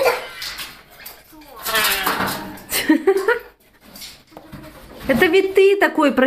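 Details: Pet eclectus parrot indoors, scolding and squabbling after hearing its own recording, which it takes for a rival. Harsh nasal squawks with rising and falling tones come in bursts near the start, middle and end, while a woman talks over them.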